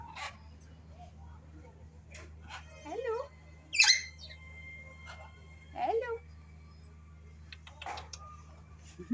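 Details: African grey parrot at Five Sisters Zoo answering visitors saying hello, giving scattered bent whistles and squeaky noises, one loud sweeping whistle near four seconds, amid low hum and quiet human talk.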